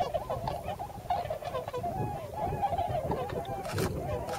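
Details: Several hundred wintering tundra swans in fields of the Nogi Plain, Shimane, Japan: a softer continuous chorus of overlapping honking calls, with sharp knocking sounds near the end.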